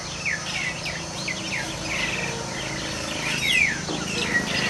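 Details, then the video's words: Nias starlings in a tense group fight, giving sharp, sliding chirps and thin downslurred squeaks in quick bursts. Several birds overlap against a constant noisy background. "Burung Jalak Tarung Burung Tarung Kroyokan-Burung Tarung"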